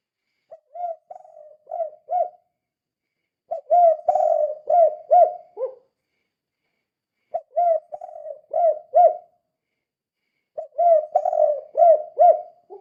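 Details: Spotted dove calling in the gacor style used as a lure to get other doves singing: four groups of soft, throaty coos, each a quick string of four to five notes, the last sometimes dropping lower, with pauses between groups.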